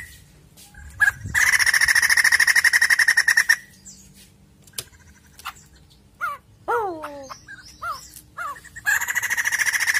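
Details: White-crested laughingthrush sound meant to provoke a caged bird into singing. Rapid rasping chatter lasts about two seconds, followed by scattered clicks and a series of descending slurred whistles, then the fast chatter resumes.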